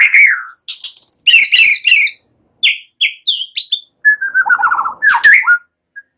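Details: White-rumped shama in easy song linked to cililin and ciblek phrasing, for stirring other songbirds to sing: a falling slurred whistle, scratchy rapid notes, three clear high whistles, then a quick descending trill.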